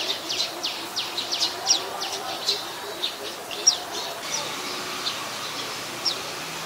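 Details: In Ubon Ratchathani, Thailand, on 27 January 2021, an adult Common Tailorbird (Orthotomus sutorius), a common resident, gives steady series of high, thin, sharp notes, a few louder chips standing out against soft rural background noise.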